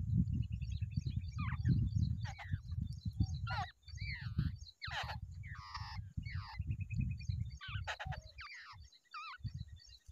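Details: Wild babbler pair sitting together in the nest, uttering a run of rasping, wavering calls, some downslurred, spaced through the recording over steady low rumbling background noise.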